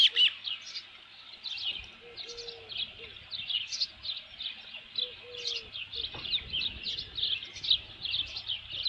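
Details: Osprey at its nest with a headless fish, recorded 27 June 2018 around 12:48 PM: a steady run of short, high chirps repeated through the whole stretch, with a faint lower tonal note appearing in short bursts.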